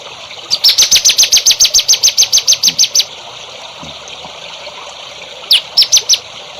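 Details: Songbird tutor song for young songbirds: a quick run of about fifteen sharp, high chips at an even pace, then a pause, then four more chips, over a hissing background.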